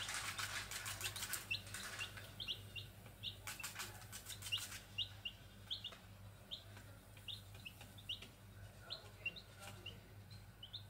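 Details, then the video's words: Grey junglefowl (Gallus sonneratii) chicks give short, high peeps, about two a second, over a low steady hum, with a few rustling bursts early on. "Suara anak ayam liar \ Grey junglefowl (Gallus sonneratii)chicks"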